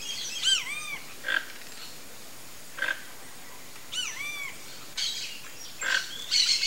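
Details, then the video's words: Flock of Toco toucans (Ramphastos toco) giving short, harsh, rasping bursts a second or two apart, mixed with arched, ringing notes that rise and fall, repeated several times. "TOCO-TOUCAN flock Toucans vocalizing"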